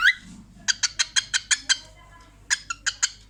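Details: Pet cockatiel laughing at her own reflection: one short rising whistle, then two bursts of evenly spaced, harsh, clipped chatter notes separated by a short silence.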